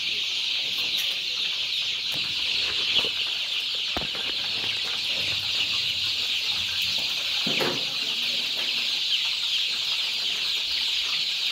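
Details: Two-week-old improved Kienyeji chicks on a poultry farm in Kenya, running everywhere after being fed; a dense, continuous chorus of high, thin peeping from many chicks, with occasional soft thuds and rustles.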